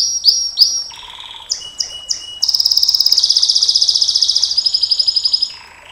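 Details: Canary performing 'nembak panjang' long-shot song, a master and lure recording: repeated high swept notes, lower clipped phrases, then a long rapid pulsed trill lasting about three seconds before a lower closing note.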